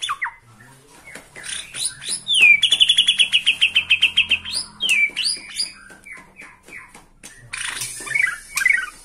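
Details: Bornean white-rumped shama excited by a rival, singing from one spot: varied quick notes leading into a fast, even rattling trill of high whistled pulses, then more scattered chips and twitters.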